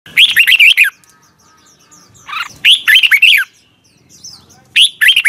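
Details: Red-whiskered bulbul morning song in the 'giọng kép xoắn' (double twisted voice) style, used for training: three bright, warbled phrases of quick rising and falling whistles, each under a second, with a quiet pause between them.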